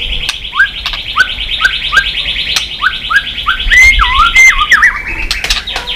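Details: Tail-flicking white-rumped shama, a recording used to get other shamas singing fast; short upslurred whistles repeated about every half second over a steady high ringing tone, ending in a wavering warbled phrase.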